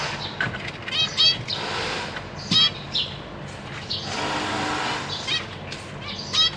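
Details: Zebra finch family, two parents with three juveniles and three newly fledged young, caged, recorded 14 April 2023 while the parents feed the young. Nasal, stacked call notes come in quick bursts, with stretches of broad rushing noise like passing traffic.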